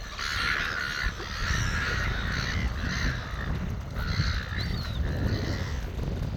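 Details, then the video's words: A flock of gulls near a lake calls in harsh, overlapping bursts, several voices at once, half-buried under a strong, steady rumble of wind. "A flock of SEAGULL near the lake"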